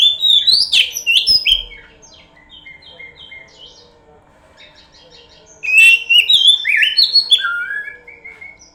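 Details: Kacer (oriental magpie-robin) pancingan lure song: an energetic burst of varied whistles and trills, a soft run of short notes, then a second loud phrase of descending slurred whistles that fades out.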